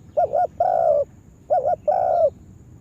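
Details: Spotted dove decoy bird used for trapping in a yard: two phrases, each a quick two-part wavering coo leading into a longer, slightly falling coo.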